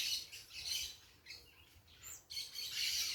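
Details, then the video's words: Parakeets calling noisily outdoors: bursts of harsh, grating squawks at the start and end, separated by a quieter stretch with a few thinner chirps and one short sharp note in the middle. "Quem gosta do som da natureza com periquitos fazendo barulho..."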